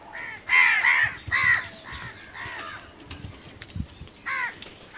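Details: Crows cawing in quick runs of hoarse, downward-arching calls, a loud pair at the start, then softer caws trailing off and a final short burst.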